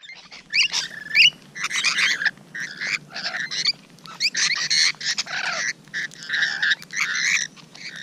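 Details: Rainbow Lorikeets recorded at close range on a June morning, giving harsh screeches and shrill chattering bursts in quick irregular succession, several birds overlapping.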